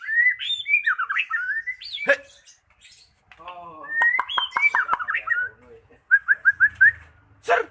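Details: Magpie-robin lure song for stirring a silent bird: varied, looping whistled phrases with sharp clicks, a brief harsh chatter, more warbling, then five evenly spaced short whistles.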